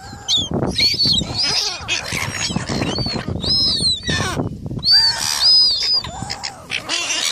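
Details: Seagulls fighting for food, giving high, thin squealing calls that rise and fall in short arcs, several overlapping, over constant loud scuffling and flapping noise.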